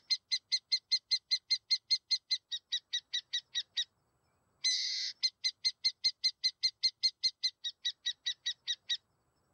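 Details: Burrowing owl giving a rapid, evenly spaced string of about nineteen sharp chattering notes, a short pause, a harsh rasping screech, then about seventeen more quick notes. No background noise.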